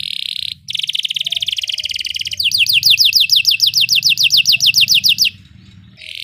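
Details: Belgian canary song intended to train canaries: a rolling buzzy trill, then a run of fast rising-and-falling whistled notes, ending in a short pause and another roll.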